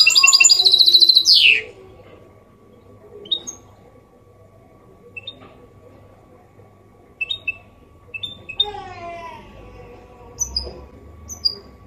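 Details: Goldfinch hybrid singing Málaga copy for training chicks and stimulating males: a short burst of high twittering with a falling sweep, then scattered single high chips over faint low background sounds.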